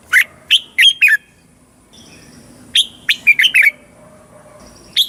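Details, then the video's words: Caged Red-whiskered bulbul from Thailand, southern master-style song played to teach young birds and rouse caged birds: two quick bursts of four to five clear, liquid whistled notes, then a single note at the end, with a quiet background. "เสียงนกกรงหัวจุก สำหรับต่อ หรือ เปิดให้นกคึก"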